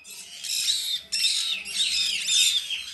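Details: A female blue-eyed cockatoo (Cacatua ophthalmica) chick, captive-bred and hand-fed three times daily, gives harsh, rasping begging squawks in long, nearly unbroken bursts, with a short pause after the first second.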